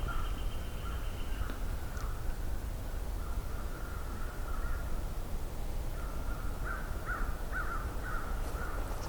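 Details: Several American crows approaching at midday in mid-May 2023 in cedars near the shore at Johnston Harbour, with wind off the shore, give short, harsh caws, scattered and then a quicker run, over a steady low rumble.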